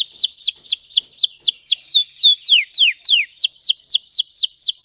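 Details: Red Belgian canary delivering a run of bright descending slurred whistles, about four per second, evenly spaced and loud, as deep, intense song meant for training.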